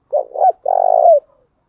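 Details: Female spotted dove used as a lure, calling in thúc gù and gáy gọi styles: a short double hoot, then a sustained, vibrating low coo with a brief rising tail. Background is clean and quiet.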